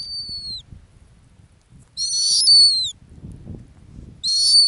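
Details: Arctic snowy owl, a female at her ground nest. High downward-sliding whistled screeches come every two seconds or so. Each is clean and tonal with a bright overtone, set over soft low background noise.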